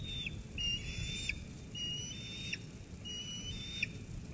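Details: Sauces Canyon eaglet squeeing at its mother after a food delivery, 13 June 2021. Three fainter, thin whistled squeals, evenly spaced and sharply cut off, over a low background rumble.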